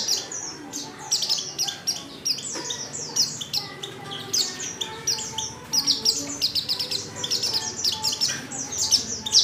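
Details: Female white-eye in heat calling a male: busy, overlapping high chirps and slurred notes in near-continuous bursts, with a steady low hum and background noise throughout.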